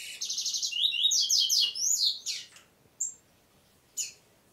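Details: Double-collared seedeater singing in the style called "prego": a fast run of high, buzzy, repeated twittering notes for over two seconds, then a pause broken by two short, sharp chirps.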